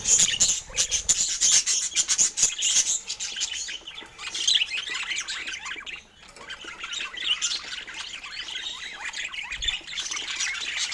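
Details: Chirping of pet budgies eating healthy fruit: quick shrill chirps and raspy warbles, with a brief lull in the middle before the chatter resumes.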